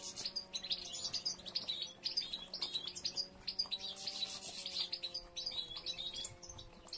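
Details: Several European goldfinches during nest building, females collecting material for three nests; dense, continuous high twittering and tinkling chirps from many birds at once, with a steady faint hum in the background.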